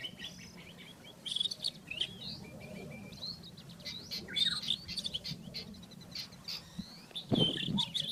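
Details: Rufous-tailed scrub robin singing in the wild, with sweeping whistles and clustered chirps repeated at irregular intervals, a sharp low knock near the end, and a continuous low hum behind.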